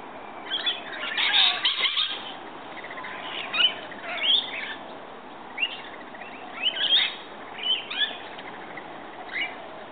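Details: A morning feeding visit by rainbow lorikeets: scattered high, sharp chirps and squeaky screeches in short bursts every second or so over a quiet background hiss.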